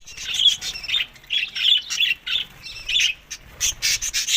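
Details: Budgerigars in Larkana, Sindh, eating summer food in May to June; bursts of bright, scratchy chirps and short squawks come in quick clusters about every half second, with brief pauses between groups.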